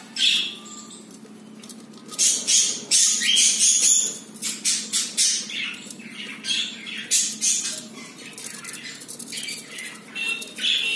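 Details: Indoor pet budgerigar pair, newly laying their first egg, keep up a busy stream of scratchy, rasping chirps and short squawks, several per second in uneven runs, with a low room hum underneath.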